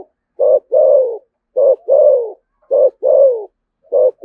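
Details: Đồng Nai spotted dove, Vietnam, in the "thổ sấm" voice style with "thúc gù" cooing. Brisk short-then-long coo pairs, the long note sliding downward, come three times in quick succession with a fourth beginning.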